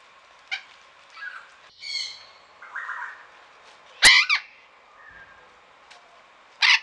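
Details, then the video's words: Golden-form sun conure at a garden aviary in Pelhřimov, Czech Republic, rainy November morning in 2017; scattered harsh, raspy shrieks, the loudest near the middle and at the end, with fainter squawks between. "Aratinga sluneční - zlatá"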